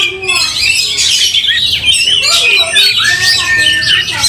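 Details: Angry fighting Oriental magpie-robin with tail raised, making other magpie-robins fiercer; continuous high, scratchy chatter mixed with sweet whistles and rising slurs, loud throughout.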